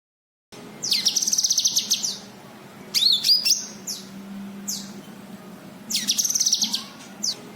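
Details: White-eye, locally called cucak kinoi, calling to lure other kinoi: a rapid high chirping trill, then sharp slurred whistles and short upswept notes, and another quick trill near the end over a faint low hum.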